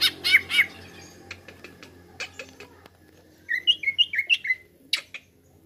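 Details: Lure song of a greater green leafbird: three loud harsh notes, faint scattered clicks, then a lively phrase of five rising whistled chirps and a last sharp note.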